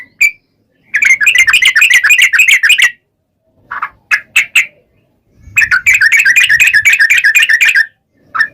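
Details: Sooty-headed bulbul in the long rolling 'ropel panjang' song, meant to spur other bulbuls to reply. Two long runs of fast bubbly chattering notes are separated by silence and a few isolated notes.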